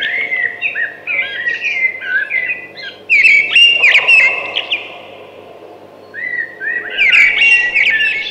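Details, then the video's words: Thrush song in varied phrases: fluid whistled notes, then louder chattering twitters, a short pause near six seconds, and another bright warbled burst at the end. "Beautiful Thrush Singing"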